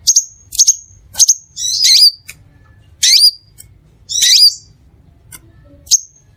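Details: Song of the crimson sunbird, Aethopyga siparaja, used to attract other sunbirds: quick high chips in a run, then scratchy, twisting downslurred phrases alternating with single piercing notes, irregularly spaced.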